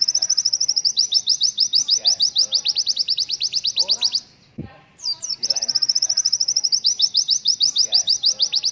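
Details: Tutor song of a white-eye, the 'pleci killer endoktatto' style known for its 'tembakan' shots: dense runs of high, sharp chirped notes in quick succession, broken by a brief pause with a soft low thump before the rapid chirping resumes.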